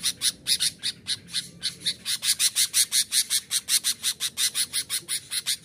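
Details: Sooty-headed bulbul call meant to anger wild bulbuls and lure them in from the forest: a continuous series of rough, harsh chattering notes, close to three each second, slightly irregular in loudness.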